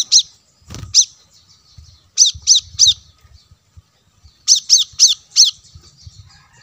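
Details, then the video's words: Plain-throated sunbird used to lure wild birds, giving harsh, squawky high notes in quick runs of three or four, over a low rumbling background. "suara pancingan kolibri kelapa"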